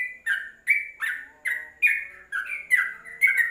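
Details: Yellow-vented bulbul singing, recorded as a tutor song for caged birds; loud, clear slurred notes come about three per second, each sliding downward, in a lively gurgling sequence.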